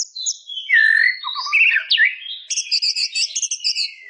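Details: White-rumped shama singing a rich, varied phrase of warbled and slurred whistles at shifting pitches, followed by rapid high twittering notes.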